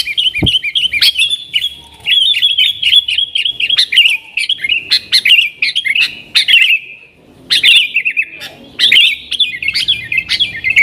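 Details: Trucukan (yellow-vented bulbul) in vigorous 'nggaruda' song, intended to summon wild sooty-headed bulbuls: long runs of rapid bubbling, looping notes broken by a few short pauses and a faint low thump at the start.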